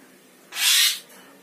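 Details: Javan myna known for mimicking words such as bapak and mamak and for whistling lets out one short, harsh, hissing squawk, with a person speaking nearby.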